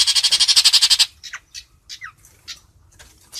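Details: A Long-tailed shrike singing to call its flock gives a second of harsh, rapid rasping chatter, then a loose series of short, varied squeaky and whistled notes.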